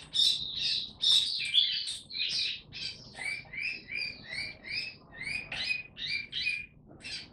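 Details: Oriental white-eye (mata puteh) on 3 January 2022, conditioned toward form and singing 'tiong aw' style: high twittering opening, then short, bright, downslurred notes repeated a little over twice per second.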